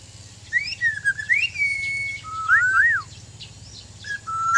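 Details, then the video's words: White-rumped shama of Sabah, Borneo, in training, delivering clear fluty whistles: a rising slur, a long held note, then looping up-and-down phrases and a final soft whistle; low hum behind. "Indahnya suara dan gaya burung murai batu"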